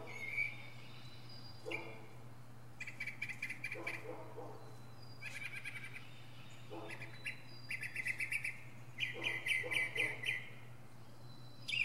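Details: Northern mockingbird showing off its many sounds from a pine top: rapid chattering rattles and buzzy bursts in clusters, growing louder and denser near the end, over a low steady hum.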